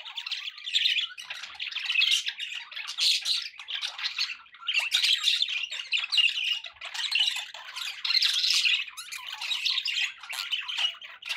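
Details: Group of pet budgies warbling and squawking in uneven waves, loud bursts every second or two separated by softer chirping, steady background noise beneath.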